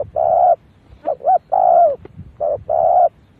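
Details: Lure call of a spotted dove aimed at wild doves. Long smooth coos alternate with a quick two-note stutter. The coos are low and mellow, with soft clicking noises between them.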